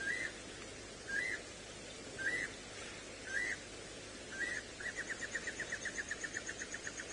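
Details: A Klaas's cuckoo, a brood parasite, calls at sunrise on 14 April 2018 at Djuma Game Reserve, Sabi Sand, South Africa: five short, plaintive two-note whistles about a second apart, then a fast run of clipped notes, over vehicle rumble and faint chirps.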